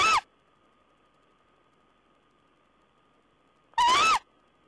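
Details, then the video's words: Owl recorded on 14 April 2010: two short, harsh, hoarse calls, one at the very start and one near the end, each rising slightly then dipping. A long silent gap lies between them, with a faint steady electrical whine underneath. "Owl's talk"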